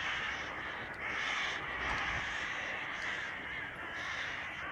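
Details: Summer evening gathering of crows flocking outside a window, unusually noisy: many harsh caws blend into a thick, unbroken chorus with slight swells in loudness.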